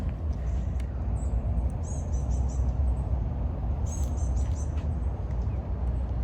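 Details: Blue-gray gnatcatcher in Florida near a resort, where it has appeared every morning, gives two quick runs of about four thin, very high notes, two seconds apart, over a heavy low rumble of traffic or wind.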